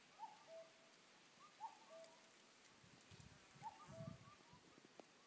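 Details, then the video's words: A cuckoo in the woods gives its falling two-note 'cu-ckoo' three times, one pair every couple of seconds, over a soft wash of rain with some low thumps. "a cuckoo's song"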